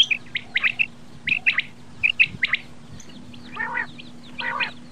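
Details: Common quail, locally bater or batair, giving short clipped high whistled notes in quick groups of three, repeated about every second, followed by two harsher buzzy rasping bursts near the end.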